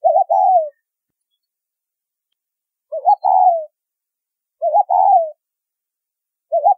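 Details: Repeated two-part coos of a spotted dove in the 'thúc rút bổi' luring style, used by bird trappers. Each call has a short warbled opening and a drawn-out falling coo, and the gaps between calls are uneven. No other sound is present.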